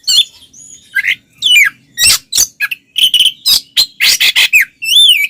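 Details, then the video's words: Oriental magpie-robin in loud, varied fighting song to goad other males: quick alternation of harsh buzzy bursts and clear whistled slurs, densely packed and rhythmic, ending with a ringing whistle. "SUARA BURUNG kacer gacor NGEPLONG TARUNG konslet paling AMPUH buat PANCINGAN KACER agar EMOSI"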